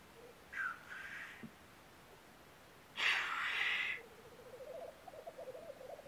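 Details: Black grouse in Norwegian woods in early spring, April 2012: two harsh, hissing 'tchu-whoosh' sneezes, then a low, rolling bubbling coo that carries on steadily underneath.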